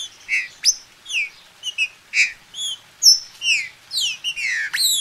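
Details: Green-winged saltator held by a registered breeder in Brazil, heard as a steady series of short slurred whistles, mostly falling in pitch, closing with a rapid cluster of overlapping sweeping notes.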